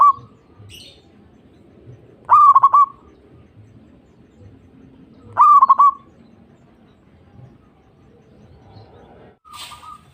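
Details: Zebra dove song played to encourage other doves to sing: two loud staccato cooing phrases separated by several seconds of near-silence, with a softer phrase closing the clip and a faint coo tail at the start.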